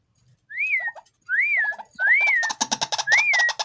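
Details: White-breasted waterhen, a tame bird raised from a chick that calls at any time: four clear arched whistled notes, each trailed by low double notes, with harsh rapid croaking chattering behind the last two.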